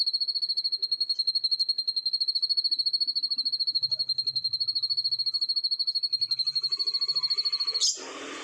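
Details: Morning canary long roll: one steady, high, rapidly pulsed trill held unbroken for nearly eight seconds, then a sudden burst of rustling noise at the close.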